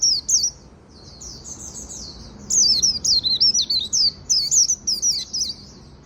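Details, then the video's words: In the afternoon, a Japanese white-eye sings 'líu' style: a soft high warble builds into a long string of loud, fast, up-and-down twittered notes. "Chim khuyên líu buổi chiều"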